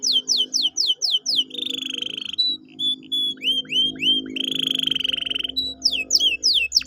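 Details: Canary song played to get a lazy canary singing again: quick descending sweeps, buzzy sustained trills and whistled notes alternating, over a low hum.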